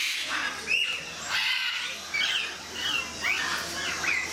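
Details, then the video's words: Alexandrine parakeets at Mysore Zoo give harsh, screechy squawks, several short bursts overlapping every second or so, with a steady background hum. "Alexandrine Parakeets"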